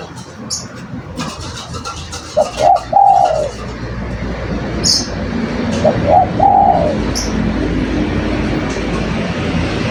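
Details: Spotted dove (derkuku) singing: two short phrases of soft, low hollow cooing, each a few quick notes ending in a longer drawn coo, about four seconds apart, over steady rural background hum and faint high chirps.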